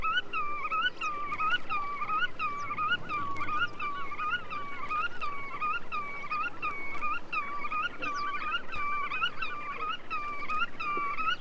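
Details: Black-tailed Godwit on a Soviet wader sound-guide record, recordings dated 1961–1981: a long, evenly paced string of about sixteen nasal, up-and-down yelping notes, with faint extra calls and background hiss.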